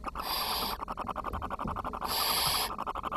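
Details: Barn owl nestlings on 10 June 2023, when food delivery was too low for the whole brood. Two loud, breathy hisses are heard with rapid clicking and scratching in between.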